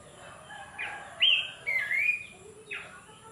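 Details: Horsfield's babbler calling in the morning while it rains: a rising slurred whistle, then a longer steady whistled note, then a shorter falling note, all over a constant background hiss.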